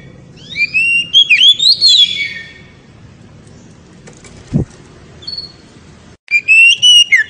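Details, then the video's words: Oriental magpie-robin in ngeriwik song aimed at exciting a female: a rapid burst of rising and falling whistles, a pause with a single thump and a faint note, then another quick whistled phrase. "KACER NGERIWIK HEBAT SEKALI BIKIN BETINA NGEPLONG"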